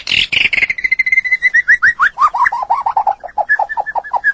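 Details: Song of a white-rumped shama for training cage birds: a harsh opening burst, then a sustained whistle sliding into a fast series of short notes that step steadily downward in pitch and repeat evenly about five per second.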